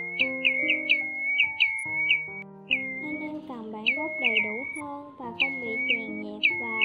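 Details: Recorded in 2020, this Pacific golden plover flock call brings rapid chains of clear, falling whistles, some run together, with background music throughout.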